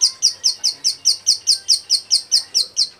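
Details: Close, loud and even, a female bar-winged prinia in breeding condition calls males in a rapid string of sharp downslurred chips, about four every second.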